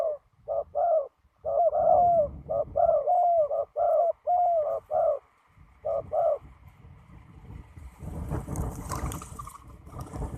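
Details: Young male spotted dove cooing at a ground decoy-trapping site on a windy day. A rapid run of low, rounded coos, alternating short and longer slurred notes for about six seconds, then broad rustling and handling noise.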